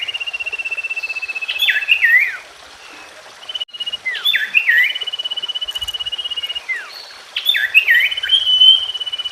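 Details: Common iora song: long even pulsed trills alternating with twisting looped whistles and descending slurs, three phrases with a short silent break near the middle, faint background hiss.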